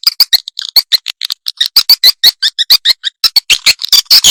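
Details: Swiftlet lure call, rapid series of short, sharp high chirps and clicks repeated several times a second in dense bursts with brief gaps, clean and loud with no background noise.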